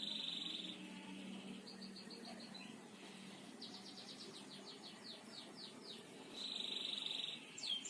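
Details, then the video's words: Canary singing continuously in the long 'gacor ngebor' style, used as a master recording for training birds: runs of rapid high downslurred notes and a steady whistled tone, with a low steady hum behind. "Masteran Burung Kenari gacor ngebor"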